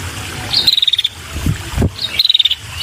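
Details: Female red-headed prinia calling to lure males: two short rattles of high, dry ticking notes, each led by a thin chirp, separated by low knocking sounds.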